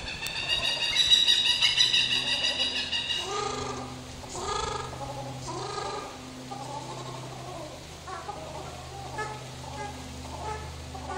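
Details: A captive white-naped crane at a bird park in Kobe, Japan, while bathing. It gives a loud harmonic call for about three seconds, then splashing and lower murmuring sounds follow.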